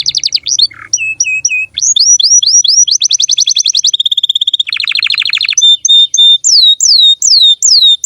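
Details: Female canary singing energetically: fast varied song of repeated sweeping whistles, rapid trills and a buzzy rattle, phrases switching every second or so, ending in loud looping downslurred notes.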